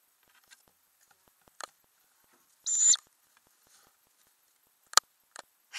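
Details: In a Ural owl nest box with growing owlets, May 2020, a single loud, high, drawn-out hissing squeal stands out against quiet, with faint clicks and light scratches from movement inside the box.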